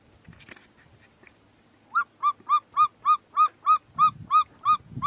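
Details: A martial eagle defending its steenbok kill against vultures gives a run of about a dozen clear, ringing yelps, evenly spaced at roughly three per second, over faint low rumbling.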